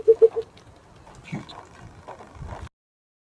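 Burchell's coucal gives three deep, hollow hoots in quick succession, then falls silent apart from faint background rustling.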